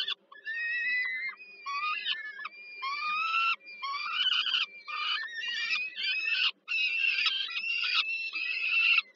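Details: Peregrine falcon nestlings in Warsaw, Poland, calling for food during an evening feeding by the female on 15 July 2022; continuous strained, wheezy screams, each about half a second, some rising, with a faint low hum underneath.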